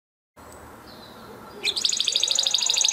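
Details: Huppe Spanish Timbrado canary from 2020 breeding, kept in a flock, singing a training song: after a hushed start with faint noise, a bright, fast, high metallic trill bursts in and rattles on rapidly to the end.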